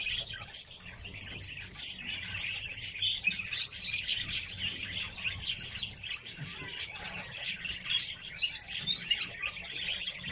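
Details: Captive red crossbills, several kept birds, giving a dense, continuous twitter of short, high chirping notes that overlap without pause, with sharper bursts scattered throughout and a faint low hum underneath.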